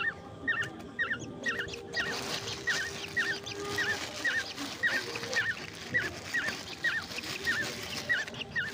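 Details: Young birds kept at home and fed grasshoppers at night give a steady run of short, quavering squeaks about twice a second, over a brief burst of music and low room noise.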